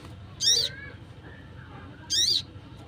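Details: Crimson Sunbird in the wild giving a call suited to luring wild birds: a pair of short, piercing high chips roughly one and a half seconds apart, with quiet low rumble behind.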